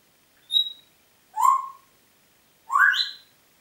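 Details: Congo grey parrot in Diebach near Hammelburg, Germany, 4 April 2012, producing three separate whistles about a second apart: a thin high note, a lower sliding note, then a rising two-part whistle.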